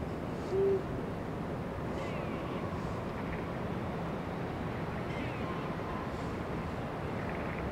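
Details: Eurasian eagle-owl, 16 February 2023: a brief, deep hoot right at the start, then several seconds of quiet hissing background with faint distant sounds.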